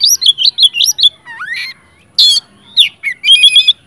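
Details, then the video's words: Oriental magpie-robin, sung to provoke others of its kind; a quick series of warbled looping whistles, a long rising slur, a harsh burst, then buzzy chattering notes. "PANCINGAN:kacer gacor ngeplong Sangat cocok buat pancingan kacer macet/bahan jadi nyaut rajin bunyi"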